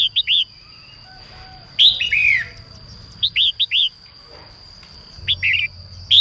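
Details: Singing female red-whiskered bulbul, used to stir males into song: short clusters of two or three sharp upslurred notes interspersed with a longer warbled falling phrase, with a soft flutter and a constant faint high hum behind.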